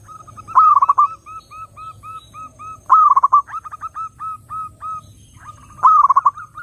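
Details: Zebra dove singing, a sound meant to draw in other doves: three loud staccato bursts, each followed by a steady run of gentle repeated coos, about every three seconds.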